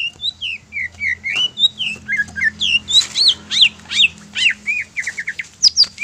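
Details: Greater green leafbird giving a bait song to provoke other leafbirds. A dense, lively stream of high, slurred whistles and sharp upward-swept notes runs throughout, with a steady rhythm of several notes each second.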